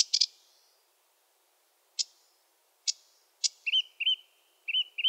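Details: Sedge warbler of wetlands: a few sharp, spaced clicking notes, then a series of short, rounded, slurred chirps in pairs.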